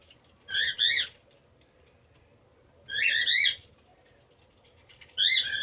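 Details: A male pet cockatiel, which likes to flip his head, gives warbling, wavering whistled calls in short bursts, repeated every two seconds or so.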